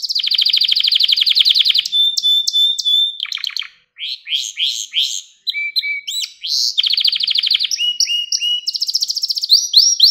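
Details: Indoor canary singing nonstop: a dense buzzing trill, a held whistle, clusters of sweeping chirps separated by short pauses, then another rapid trill and high repeated notes.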